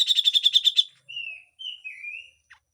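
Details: Grey-cheeked bulbul, a harsh full song used as a training recording: a quick run of about eight buzzy, harmonic-rich notes, then three or four drawn-out, slurred whistles with a slight wavering, ending on one short low note.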